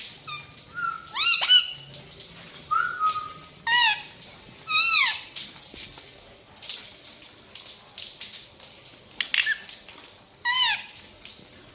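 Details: Pet green parrot giving a series of loud rising and falling whistled calls, several in quick succession near the start, then single calls spaced a few seconds apart, over a soft steady background hiss.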